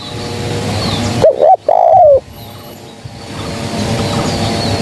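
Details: A single spotted dove phrase used as a trapping lure: a short doubled coo followed by a longer, smooth, falling coo, set against a steady low hum and background noise.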